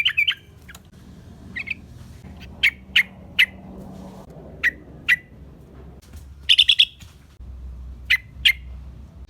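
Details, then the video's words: Yellow-vented bulbul in a lively lure recording for attracting wild bulbuls: sharp, separate chipping notes scattered irregularly, plus a quick burst of three or four chirps near the end and a faint low hum. "Suara trucukan gacor RAJA PIKAT ampuh buat semua trucukan reapon"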